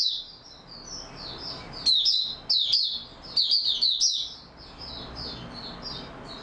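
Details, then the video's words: Captive Oriental white-eye, recorded 28 February 2022 in stable singing form, sings a fast, high, twittering run of thin chirps and trills, with louder bursts in the middle, over a faint background hiss. "Mata Puteh Raja Video 1 buka sing stable form"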